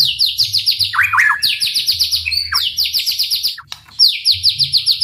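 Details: White-rumped shama, song played to trigger other shamas into singing: long fast runs of high, evenly repeated falling notes broken by lower twisting chirps and a short gap.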